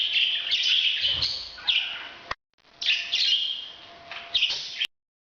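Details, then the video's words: A parrot making breeding calls: two bursts of grating, buzzy chirps and squeals, split by a moment of silence and ending abruptly. "bird's breeding sound"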